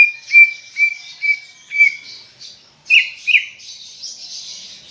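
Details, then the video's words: Greater green leafbird in full song, played to stimulate other leafbirds: repeated short whistled notes at a steady pitch, about four in two seconds, then two louder upslurred notes over a dense high warbling chatter. "Ocehan Cucak Ijo Gacor untuk Pancingan Bunyi"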